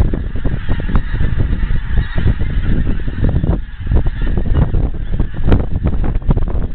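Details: Large flock of wild geese in Scotland moving closer from far off; continuous, busy honking with sharper individual calls, layered over a loud low rumble.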